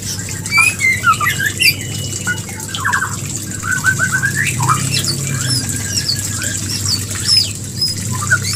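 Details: White-rumped shama mating-trigger song: a busy mix of whistles, rapid trills and high chirps, over a steady low hum.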